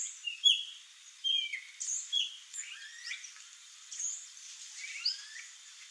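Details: Male swallow tanager giving a string of thin, high chirps and sharp downslurred twitters, spaced irregularly about once a second, with a few brief rising notes and faint hissy background noise.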